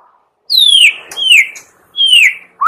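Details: Morning lure song of a white-rumped shama meant to prompt other shamas to sing: long clear whistles sliding downward from high to lower pitch, three in a row with pauses, then a rising note.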